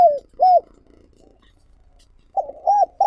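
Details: Spotted dove used as a decoy, calling to provoke and lure wild doves: two hollow, arched coos, a quiet pause of nearly two seconds, then three more coos in quick succession.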